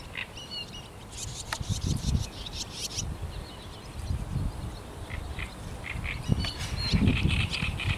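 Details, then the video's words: A great reed warbler sings harsh, croaking, repeated chattering phrases over a strong low rumble of wind or distant noise, recorded on 5 May 2021. "śpiew trzciniaka"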